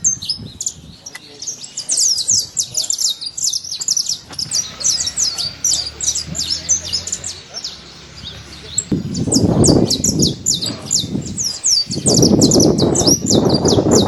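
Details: Saffron finches free in nature give a steady stream of high, quick chirps, many notes overlapping, while loud low rumbling noise, like wind or handling, swells in the second half.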